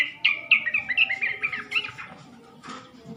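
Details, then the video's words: Yellow-vented bulbul lure call, used to draw males into answering. Quick, bubbly run of chirped and warbled notes for about two seconds, each note rising and falling, then fading to quieter scattered chirps over soft background noise. "PANCINGAN SUARA BURUNG TRUCUK,jantan di jamin langsung nyaut"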